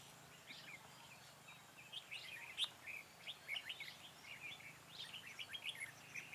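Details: Decoy red-whiskered bulbul used in trapping, recorded 4 February 2017, singing to draw and challenge wild birds: lively series of short chirpy whistled notes, rapid and repeated in quick clusters over several seconds, one sharp click midway.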